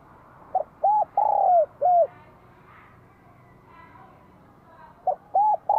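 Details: Spotted dove from Vietnam with a bell-toned voice ('giọng chuông'), singing to provoke wild doves and welcome spring 2023; a short note, then longer, hollow, arched coos, in two phrases about four seconds apart, over a quiet hiss.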